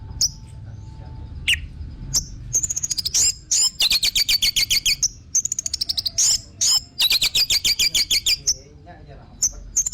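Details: Orange-headed thrush with scattered high notes building into long stretches of fast, rattling, buzzy chatter mixed with whistled phrases, intended to spur birds into song.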